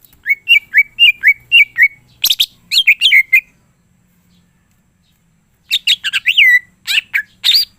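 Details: Lively greater green leafbird song full of imitations. Repeated twin slurred whistles, a scratchy chirp burst, then a silent gap before another run of rapid twitters and looping whistles.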